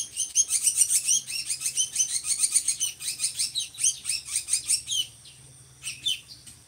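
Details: Drongo singing, a bird valued as a tutor for training other songbirds and said to have a loud, monotonous voice; rapid chattering burst of sharp high notes repeated for about five seconds, then a pause and a few scattered chirps.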